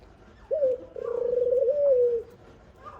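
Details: Dove mother at the nest feeding her baby gives a short low note, a pause, then a sustained throbbing coo of over a second that falls slightly at the end. Quiet background.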